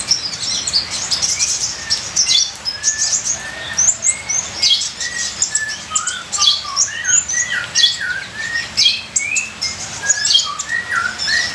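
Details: Ninja sunbird full varied song: high twittering mixed with clear short whistled notes at a lower pitch, given in lively irregular phrases, with faint background patter.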